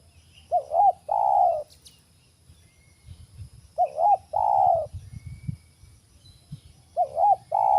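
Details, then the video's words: Wild spotted dove at a bird-trapping site giving its cooing call three times, each phrase a short wavering double note then a long drawn, slightly falling coo, repeated about every three seconds against faint low rumble. "Pukul curi sifat burung hutan! Ajar laman terkukur baru"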